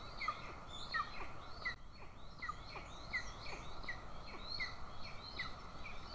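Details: At an Estonian golden eagle nest, 20 June 2024, the mother feeds an aggressive chick as the father stands by with prey; thin, sharp, falling chips sound in a quick regular series over low rumbling noise.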